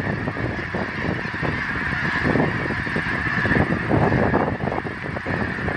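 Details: Geese recorded on September 25, 2014: a dense, continuous clamour of many overlapping honks from a large flock, forming a steady nasal wall of sound with no pauses.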